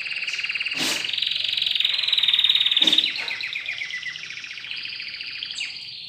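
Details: Domestic canary, a newly acquired caged bird in training, sings rapid rolling trills that climb and hold high, then slide down in a slower descending tour; two sharp clicks cut through early on.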